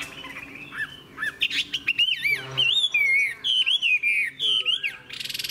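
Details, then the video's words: Mature wild-caught Chinese hwamei in full song: a rich run of loud, clear whistled phrases that twist up and down, with quick slurred notes and a burst of rapid rasping notes at the end. "Họa mi già rừng hót hay"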